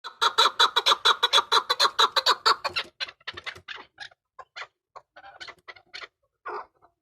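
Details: Hybrid chukar giving a fast run of loud, clucking chuk notes, about two per second and evenly spaced for three seconds, then breaking into scattered, softer and uneven calls.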